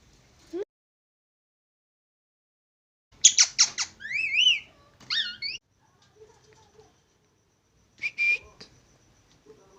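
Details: Plum-headed parakeet giving a burst of harsh shrill squeaks and rising-falling whistled notes, then a short gap and a few thinner high calls, with quiet background between.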